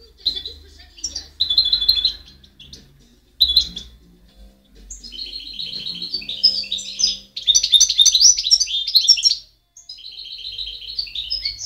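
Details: Goldfinch singing, 2010: scattered high chirps, then longer runs of rapid, tinkling twitters and buzzy trills, broken by brief pauses and a short silence near the end; some faint low background hum.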